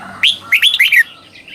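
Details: Red-whiskered bulbul singing in the doubled southern master style to train young birds. A bright rising note, then three quick warbled notes, ending in soft whistles.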